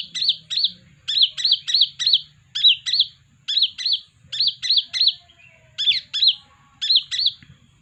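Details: Sunbird song used to lure birds: steady series of crisp, high chevron chirps grouped in twos and threes with short pauses, continuing throughout with little background noise.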